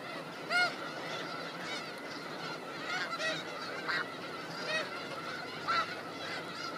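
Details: Grazing snow geese in Skagit Valley fields call constantly as a flock. About half a dozen loud, clear honks punctuate a thick background of softer overlapping goose calls.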